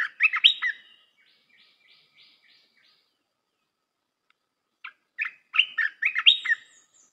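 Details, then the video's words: Red-whiskered bulbul song used to train young birds: a lively warbled phrase, a softer series of repeated notes, and after a pause another jumbled burst of bright notes. "เสียงนกกรงตาแดงEp.168 เสียงหัดนกลูกเสอ เพลงเพราะ น่าฟัง"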